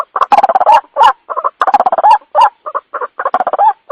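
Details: White-breasted waterhen lure call used at night: harsh, chattering, gobbling notes in uneven bursts, each burst a rapid run of grating syllables.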